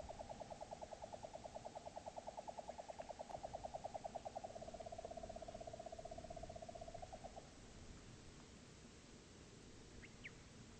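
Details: Nightjar during copulation attempts in Upper Teesdale: a rapid, steady mechanical churr of fast even pulses lasting about seven seconds, easing slightly in pitch midway, then stopping, leaving faint background hiss with a couple of brief distant notes.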